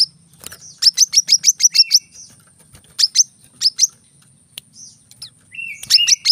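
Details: Brown-throated sunbird giving clusters of sharp, high chips, scattered single notes and a lower whistled phrase in its rapid 'tembakan rapat' song, with faint background murmur.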